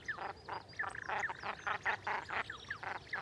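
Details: Common shelduck recorded in the wild gives rapid, nasal, quacking notes, about three or four a second, with sharp whistled upslurs mixed in.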